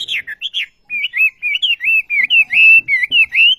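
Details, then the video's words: Olive-backed sunbird singing vigorously: a fast, continuous run of high, wavering whistled notes, about four per second, slightly jerky in rhythm. "Burung Wambi Gacor Khas Sekali Kicauanya"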